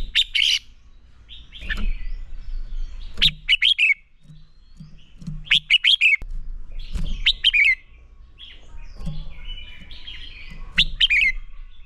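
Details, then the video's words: Red-whiskered bulbul singing a fighting song used to train other birds. Short bursts of bright, rapid slurred whistles repeat about every two to three seconds over softer, scratchy warbling in the background. "Chào Mào Hót Đấu Kích Bổi Lên Lửa"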